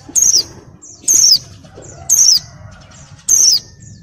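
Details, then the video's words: Female white-eye in breeding condition while molting, calling to males in the ngalas style: four sharp, high, downslurred whistled notes, each about a quarter second, repeated roughly once a second over a low background rumble. "SUARA PLECI BIRAHI GACOR NGALAS"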